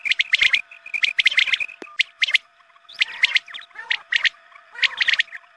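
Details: Quail call played at dawn to attract quail. Clustered bright chirps come in short bursts separated by brief pauses, with a few lower, softer notes and a constant background hum.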